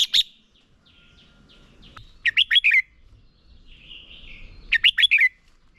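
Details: Red-whiskered bulbul decoy singing competitively to train other birds; two short bursts of quick, bright whistled phrases ending in a falling slur, with softer thin warbling between them and a fairly quiet background.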